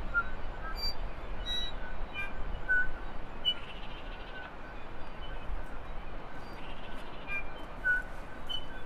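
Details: Several New Zealand bellbirds in a dawn chorus on Cuvier Island (Repanga), an offshore island east of the Coromandel Peninsula, trading short, pure, bell-like notes at varied pitches every second or so over a low rumble of wind or surf.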